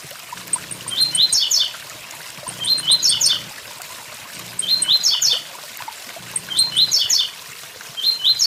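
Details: Blue-black grassquit beside a waterfall, repeating its short buzzy 'tui tui zel zel' phrase five times at roughly two-second intervals, with high faint ticks between phrases and flowing water behind.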